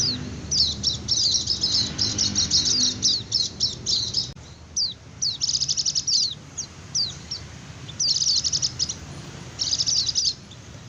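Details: High-pitched white-eye ngecir song meant to lure wild birds and prompt lazy ones to respond. Dense twittering trills give way to scattered thin chirps, then further rapid bursts, over a faint low hum.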